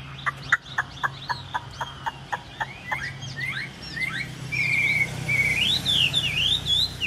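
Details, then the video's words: Hwamei in a cage, a three-yellow bird with fanned tail, recently out of training: a run of sharp evenly spaced clicks, then fast looping whistled phrases sweeping up and down. "Tam hoàng bao giàn đuôi xòe, hàng đã có số má anh em ạ | Họat Họa Mi"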